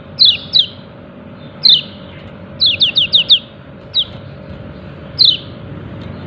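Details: Yellow-breasted white-eye giving its 'ciak ciak' call: bright, high, downslurred chirps delivered singly, in pairs and in a quick run of four, irregularly spaced over a low background hum.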